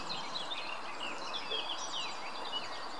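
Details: Greylag goose goslings at the Munich Botanical Garden give a continuous chorus of thin, high, overlapping peeps and wheeping whistles, some rising and some falling, over a steady background hiss.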